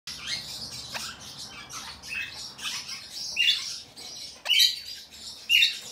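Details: Cream ino lineolated parakeet, recorded 21 November 2022, giving short high chirps and harsh squawks at irregular intervals, with a few louder sharp notes near the end and brief broadband clicks.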